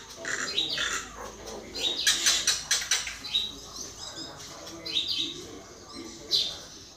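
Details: Common myna song: a busy mix of bright chirps, clicks and rasping notes in uneven bursts, with some louder harsh clusters near the middle and a sharp note near the end.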